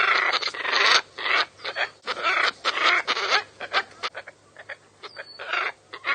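Scarlet ibises give harsh, nasal honking squawks in quick, irregular bursts, several birds overlapping, with a brief thin whistle near the end.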